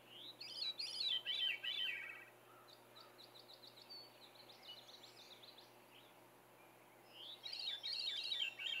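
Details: A Veery sings on a cold morning at Saint-Antonin, Québec, 14 June 2020: two airy, spiraling phrases that tumble downward in pitch, with softer twittering notes between them.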